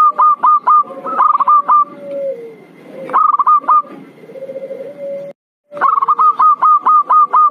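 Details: Zebra dove call played as a lure to bring birds down: rapid series of short, bright cooing notes in quick runs, alternating with lower drawn-out trills, then a brief gap before the runs resume.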